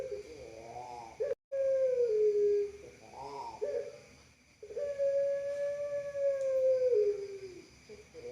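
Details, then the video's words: A dove (puter pelung) gives long, drawn-out coos, each about two seconds, held steady then sagging slightly at the end, with shorter wavering notes in between. "Dove_Pigeon_Puter Pelung Sound Sweet And Long Voice"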